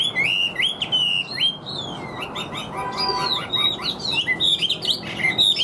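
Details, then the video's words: Chinese hwamei in a cage delivering energetic, even song. Bright whistled phrases alternate with slurred upward notes and quick chattering trills, all loud and close. "Họa Mi Hót Như Máy, Điện Đóm Căng Ra Giọng Đều"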